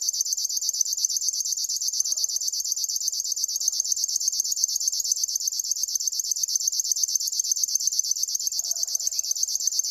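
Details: Long unbroken river warbler reel, a shrill insect-like series of quick pulses held at a constant pace and loudness, with faint low calls now and then behind it.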